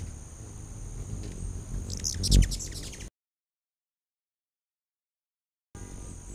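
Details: Back-deck feeder hummingbirds in late August 2019 give a quick flurry of bright, squeaky chips with a loud low whir of wings, followed by a gap of silence.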